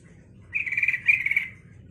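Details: Song of a yellow-vented bulbul, used to make other bulbuls answer and sing: a single one-second burst of fast, gurgling, chattering notes in a tight mid-high band over a quiet low hum.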